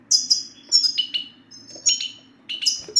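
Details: Rapid 'sitsta' twittering of a male European goldfinch, meant to stir silent males into singing; dense run of sharp, high, falling chirps and tinkling trills with hardly any pause, a quiet hum underneath.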